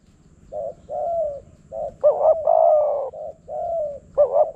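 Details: Wild spotted dove and decoy in Phrae, Thailand: softer short coos lead into a louder stuttered double note and long coo, then more soft coos and another loud phrase beginning, overlapping calls.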